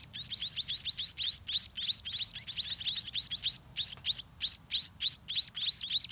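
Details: White-rumped munia chicks begging in a nest full of droppings while parents bring food; rapid, high, rising squeaky chirps poured out in quick runs separated by short pauses.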